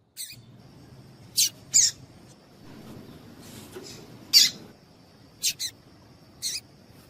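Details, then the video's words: Calls of a female Double-collared Seedeater, used to excite a male. Several quick high chips, some in close pairs, scattered through the stretch at uneven intervals, with a faint continuous high tone behind. "Piado de Fêmea de Coleiro Com Piado de Fêmea de Coleiro Quente para Esquentar Coleiro tui tui"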